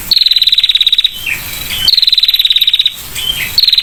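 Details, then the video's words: Female prinia giving the ngetir trill, clear voice: rapid, dry, evenly pulsed high buzzing trills about a second long, each starting slightly higher then level, repeated with short pauses, a few soft lower chirps between bursts. "PRENJAK BETINA NGETIR SUARA JERNIH"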